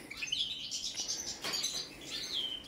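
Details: Balkan goldfinch, subspecies balcanica, during a song check: fluid, high twittering with a rising slur at the start, interrupted by a short buzzy burst, closing on a clear descending whistled note.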